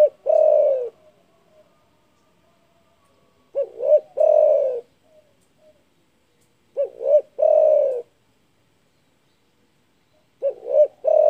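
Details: Big-voiced spotted dove calling to rile rivals, its phrase repeated four times about every three and a half seconds: two short hollow coos followed by a long, slightly descending coo. No other sounds.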